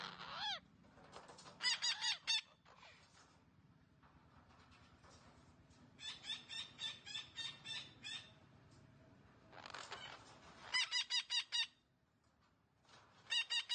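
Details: Green parrot sounds, presented as talking: short bursts of rapid, evenly repeated harsh notes separated by brief gaps, with some rising squeals in between and a faint low background hum.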